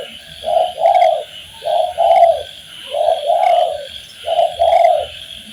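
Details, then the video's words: Master recording of spotted dove song for training birds: soft, low, hollow coos in paired phrases, a short note then a longer drawn-out note. Four phrases repeat about every one and a half seconds over steady low hiss. "MASTERAN BUAT BURUNG TEKUKUR SUPAYA GAC0R DAN BERGAIR4H"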